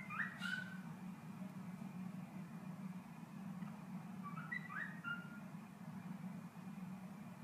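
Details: A pet cockatiel mimicking an Android phone's notification whistle whistles two short, clear phrases over a steady low hum.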